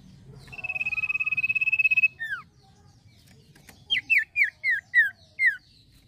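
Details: Male common iora singing actively: a pulsed, trilled whistle held steady for about one and a half seconds, two falling slurs, then after a short pause a run of six sharp, downslurred whistled notes.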